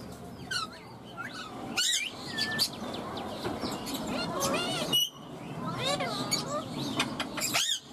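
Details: Pet green ringneck parakeet speaking words such as "mummy" and "mitthu": wavy, harmonic speech-like phrases broken by sharp, high, rising squawks, with a faint background hum.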